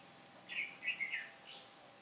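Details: A red-whiskered bulbul acting as a trap decoy, recorded on 15 October 2017 as the wind shifted, gives one quick, lilting warbled phrase of three or four linked chirpy notes against faint background hiss.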